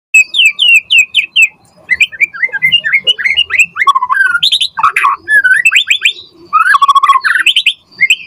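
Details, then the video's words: White-rumped shama in full energetic song, used as a lure to prompt other shamas to answer: a run of four rising whistled notes, then rapid varied slurred whistles, chatters and buzzy trills rising and falling in quick succession. "Pancingan Murai Batu Gacor Auto NYAUT cepat RESPON Buat Masteran Burung Murai Agar Gacor Full Isian"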